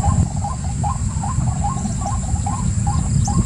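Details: Softer string of short rising notes from a white-breasted waterhen, regularly repeated, partly masked by a deep rumble and a constant high whine.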